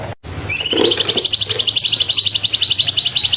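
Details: Sumatran leafbird as a training bird, opening with a brief dropout and low notes, then a bright rising whistle that settles into a rapid, even series of high sharp chips.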